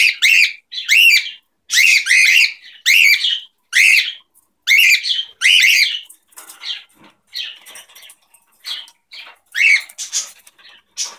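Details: Two pet cockatiels indoors during their morning routine, calling in a series of loud, harsh chirps about twice a second, then softer scattered twitters.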